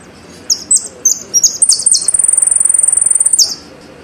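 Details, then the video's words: Saffron finch, known as jilguero argentino, gives several high slurred chips, then a long fast ringing trill of about twenty evenly spaced notes, closing with a downward slur. "JILGUERO ARGENTINO"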